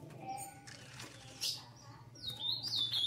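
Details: Female ultramarine grosbeak soliciting mating, eager and ready to mate: a sharp high chip midway, then a thin descending whistle near the end, over a faint low hum.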